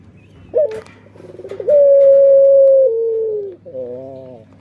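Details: A singing Barbary dove of the puter pelung type gives a short hoarse note, then one long, steady, drawn-out coo that sags slightly at the end and finishes in a wavering, throaty tail.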